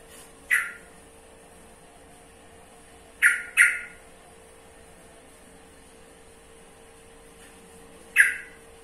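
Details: Yellow-vented bulbul uttering four short, harsh chack-like notes at irregular intervals, two in quick succession near the middle, with a steady background hum.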